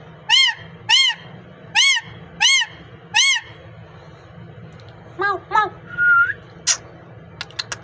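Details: Speaking parrot in a natural recording. Five evenly spaced, ringing arched calls come first, then a looser mix of short rising notes, a brief whistle and clicks over a steady low hum.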